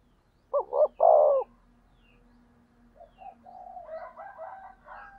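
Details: Spotted dove used as a decoy to provoke rival wild doves gives one strong phrase, two brief coos and a long one, followed by a steady hum and quieter chattering notes.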